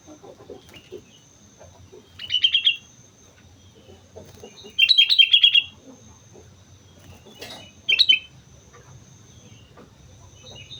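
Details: Sooty-headed bulbul singing vigorously on Mount Slamet: three bursts of rapid bubbly whistled notes, the middle one longest, roughly every three seconds, with soft low background chatter and a thin steady hiss.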